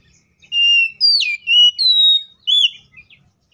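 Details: Loud fighting song of an Oriental magpie-robin, the style used to stir other magpie-robins to sing, with long steady whistles, a sharply falling slurred note and bright upward-bending phrases.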